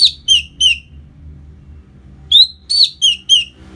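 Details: Song of an orange-headed thrush, used to make a freshly moulted bird livelier and more aggressive: two rapid runs of sharp downslurred whistles, three notes and then four, separated by a pause of about one and a half seconds, over a faint low hum.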